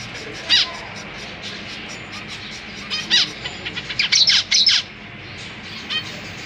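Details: Zebra finches kept in a cage, parents busy feeding newly fledged chicks; scattered nasal calls build into a quick run of loud, overlapping harmonic notes, then fall quiet over faint hum.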